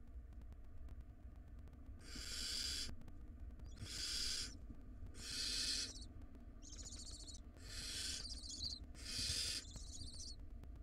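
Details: Wild barn owl nestlings in a monitored nest box fight over a very large rodent: loud broadband hissing screeches about a second long, repeated every two seconds, mixed with shorter rasping, harmonic wheezes between them.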